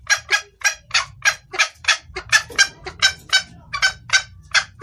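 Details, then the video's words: Female red junglefowl calling for the male, a clear lure call for males; a dense run of harsh, clipped clucks, close to three per second, over a soft low hum. "Suara ayam hutan betina gacor pangil pejantan"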